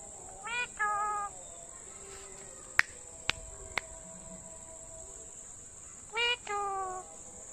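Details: Talking pet parrot giving two short bursts of rapid, voice-like harmonic syllables at the start and end, with three sharp clicks between and a steady high electronic whine underneath.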